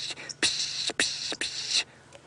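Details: Oxpecker heard on an afternoon-to-sunset safari drive on April 29, 2016, near where a buffalo had been, signalling antelope nearby: three harsh, hissing rasps, each about half a second long, in quick succession.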